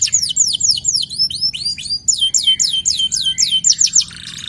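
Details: Local canary in full, vigorous song, used as a lure and tutor recording for other canaries: fast series of high downward-sweeping whistled notes, roughly four per second, changing phrase midway, ending in a short buzzy burst.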